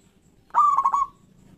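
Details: Local zebra dove giving a loud, strong phrase to encourage quiet doves to sing: a sharp coo onset followed by three rapid rolling pulses that fade away, lasting about half a second.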